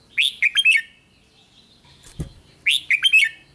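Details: Two lively red-whiskered bulbul phrases, sung to excite other bulbuls, each a quick string of bouncy whistled notes, separated by a brief soft thump near the middle.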